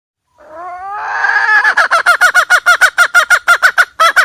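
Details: Hen call used to lure birds into traps: a rising, drawn-out harmonic cry that turns into a long even train of loud, clipped clucks, roughly three per second.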